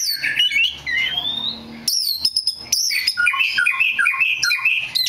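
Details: A black magpie robin, said to be very rare, gives a gliding whistle and scratchy notes, then a sudden run of high looping whistles and a quick, bubbling series of chirps, with a soft low hum behind.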